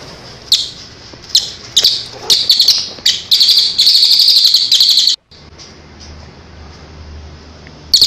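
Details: Bird song offered as training for moulting and post-moult birds; scattered sharp high chirps build into dense buzzy trilled bursts, then stop abruptly, followed by quiet and a last brief burst.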